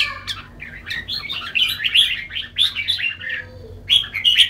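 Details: Varied, bubbling song of a red-whiskered bulbul: quick warbled phrases rising and falling, with bright squeaky accents and a constant low hum in the background.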